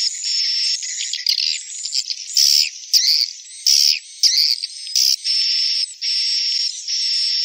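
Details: Edible-nest swiftlet calling: buzzy high chirrs broken by sharp clicking and twittering bursts in the middle, then long even buzzes again near the end.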